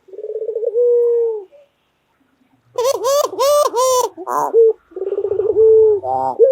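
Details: White local collared dove, a loud-calling pet bird, repeating low rolling coos that end in sustained tones. A harsher, buzzier burst with rich overtones interrupts midway.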